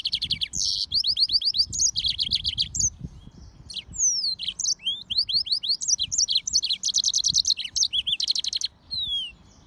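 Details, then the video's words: Yellow-fronted canary crossed with a canary singing a lively, varied song: fast trills, repeated downslurred whistles and buzzy rattles, nearly continuous. "طائر الياسمين هجين الموزمبيقي serin mozambique xCanary"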